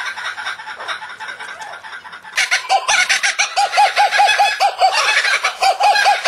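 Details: Kookaburra song, likened to human laughter: a loud rolling series of rapid, arched hoarse notes repeated more than twice a second, several voices overlapping in a dense cackling chorus.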